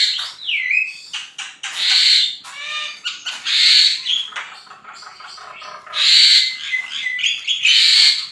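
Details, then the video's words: Javan myna (jalak kebo) singing energetically in a full gacor masteran style: harsh squawky bursts and buzzy notes mixed with rising and falling whistles, dense and varied phrases packed close together. "JALAK KEBO GACOR FULL MASTERAN"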